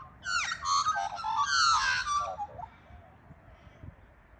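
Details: A pair of Australian magpies in Australia, which always sing together, carol for about two seconds in rich, fluting warbles with sliding, falling notes, then the sound fades to a quiet background hum.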